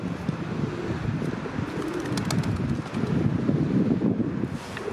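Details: Feral pigeons courting in Mannheim, Germany: low, soft, rolling coos, with a few faint clicks and steady wind noise throughout.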